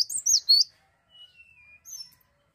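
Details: Cinereous tit, described as singing persistently: a quick cluster of high, sharp chirps in the first half-second, then a faint thin whistle that slides lower and two brief high notes near the end, with near silence between.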